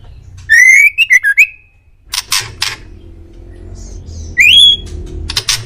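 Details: Male white-rumped shama master song: a fluted, warbling whistled phrase, then harsh scratchy notes, and a final clear rising whistle with more rasps after it.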